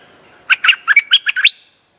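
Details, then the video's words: Streak-eared bulbul, a caged bird, its song used as a lure for trapping: a quick run of about eight bright, chirpy notes in under a second, rising at the end. The background is quiet. "Suara pikat merbah lekir gacor"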